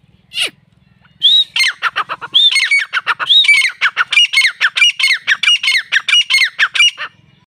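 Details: Grey francolin calling: one sharp opening note, then a long run of loud, harsh, squawky notes with bent whistled edges, delivered rapidly at a steady rhythm for about six seconds, over a faint low hum.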